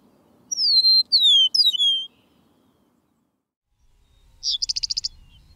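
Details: An Eastern meadowlark (Sturnella magna), a grassland bird of Illinois, gives its sweet whistling song of four clear slurred whistles, each sliding downward, then a short buzzy stuttering chatter after a pause.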